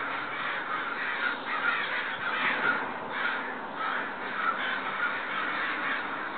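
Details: A group of neighbourhood crows, apparently upset about something, caws loudly and without pause; harsh nasal calls from several birds overlap into a steady, rolling clamour.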